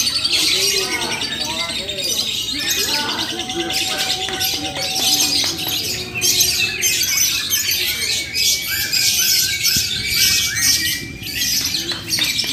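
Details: Competing lovebirds at a singing contest in Muara Wahau pour out long bursts of piercing, scratchy high chattering that swell and ebb, while people talk and murmur in the background and a steady thin tone hums.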